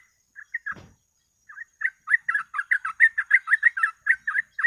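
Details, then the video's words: Yellow-vented bulbul, called trucuk, in rapid lure song for catching birds. A few scattered notes and a sharp click lead into a steady run of bubbly, chattering notes. "BURUNG TRUCUK FULL GACOR ROPEL"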